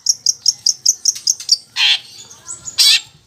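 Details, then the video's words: A Long-tailed shrike, a caged songbird whose song copies fighting sparrows and lovebirds, gives a quick run of about nine high, thin chips, five a second, then two harsh, scratchy bursts copying other birds. "Cendet Blangkon || GACOR || Isian Greja Tarung sambung Love Bird"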